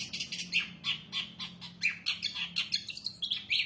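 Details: Long-tailed shrike in lively varied song, a dense continuous chatter of harsh scratchy notes mixed with bright high chirps, delivered several per second with barely a pause.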